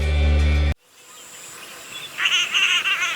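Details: A Cotton Pygmy-Goose (cotton teal) in Sri Lanka gives a fast run of nasal, cackling notes that rise and fall in quick bursts, after a brief snatch of music.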